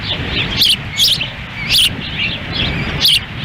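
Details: At the Lolo, Montana osprey nest on June 10, 2017, a windy feeding of chicks with the male standing by; loud high chirps in quick pairs and singles, soft chattering between, wind rumbling below.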